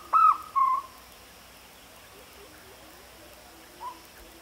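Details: Jungle owlet calling: two short, loud, tonal hoots in quick succession, the first slightly bent, then a long pause and one faint, brief note near the end, over a quiet, steady background.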